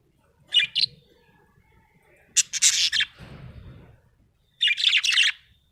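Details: Happy budgerigar giving short bursts of rapid, buzzy chirps and scratchy warbling, three chattering phrases with quiet gaps between them and a low rustle in the middle.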